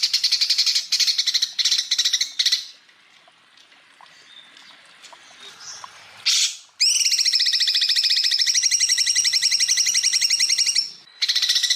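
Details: Greater green leafbird, recorded as training song for other birds: choppy high bursts, a quiet stretch, then a loud, rapid two-pitched trill lasting about four seconds before brief further bursts.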